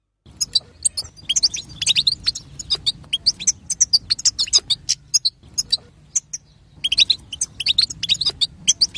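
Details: European goldfinch female batbata chatter used to set off male song: a long, busy stream of high, twittering and tinkling notes, nearly continuous with a brief break midway, over low background hum.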